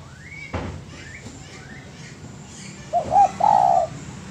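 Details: Spotted dove cooing, recorded as master audio for training birds: a quiet stretch with a click and soft rising chirps from other birds, then a doubled short hoot and a long buzzy-edged coo.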